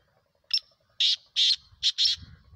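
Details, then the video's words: Black francolin (kala teetar) calling: a short harsh opening note, then two grating, scratchy notes and a final double burst, each loud and rasping, with faint low rumbling behind. "kala teetar awaz"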